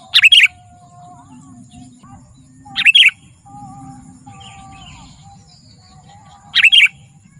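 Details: Sooty-headed bulbul gacor song for luring wild bulbuls and training birds: three brief dense bursts spaced about three seconds apart, with thin whistled notes from other birds and a low hum between them.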